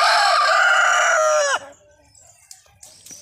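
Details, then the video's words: Rooster crowing: one loud, harsh, sustained crow lasting about a second and a half, ending in a falling tail, followed by quiet with faint distant sounds. "Rooster Crowing Compilation"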